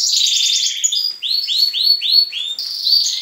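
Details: Young and adult canaries singing together at dawn, kept in a breeding room: a quick rattling trill, then five or six clear upward-curving whistled notes in rapid succession.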